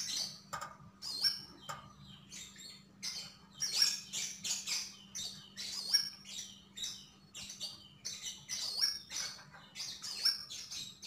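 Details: Energetic gacor singing by a Javan grey-throated white-eye (sogon): quick high chattering phrases with thin piercing whistles, delivered in short bursts roughly every second, constant low hum in the background.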